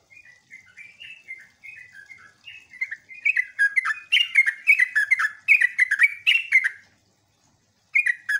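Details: Sooty-headed bulbul lure song, used to make other bulbuls answer, in jogjog, ngeropel, ngecruk and nembak styles: soft falling whistled notes for three seconds, then loud dense chattering phrases, a pause, and a final burst.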